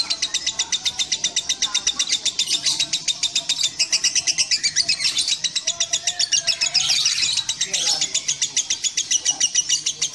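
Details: Lovebird in sustained song: fast, high-pitched chattering notes packed into a continuous rattling stream, steady in pace, unbroken across ten seconds.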